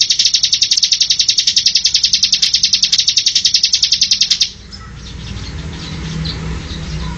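Bar-winged prinia giving a fast, buzzy trill of high chipping notes, about nine per second for four seconds, then breaking off into quiet background hiss.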